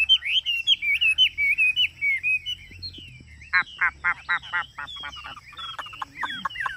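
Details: Chinese hwamei in a cage on a hot day, singing with its beak open in the 'ngũ trường' style: a series of loud looping whistles, then fast rattling trills and descending slurred notes.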